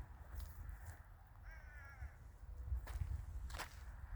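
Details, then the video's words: Rural winter village scene with a crow giving one wavering, harmonic caw, followed by sharp snaps or footsteps and low background rumble. "the sound of crows"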